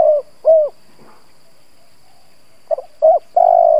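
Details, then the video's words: Decoy spotted dove cooing to draw out other doves: the end of one phrase with two down-slurred coos, a pause, then a new phrase of stuttered notes, a short coo and a sustained hollow note. "Cu gáy mồi Gù siết bổi nhập tàn, chim cu gáy kích bổi nhanh nổi"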